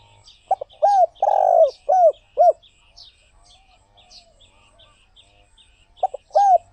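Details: Spotted dove repeating its cooing phrase: hooked notes around a long rolling coo, a pause of several seconds, then the phrase begins again. Faint twittering of small birds continues throughout.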